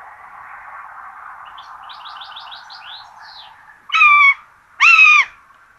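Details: Common buzzard chicks at a nest in Tiszalök, Hungary, being fed rabbit for breakfast on 26 June 2022: two loud, short, harmonic-rich calls near the end, after a steady low hum and faint chirps from small birds.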